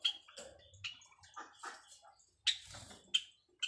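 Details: White Java sparrows kept for breeding, busy building their nest, giving a mating call: sharp high chips and clicks at irregular intervals with brief buzzy rattles between them, several louder notes near the end.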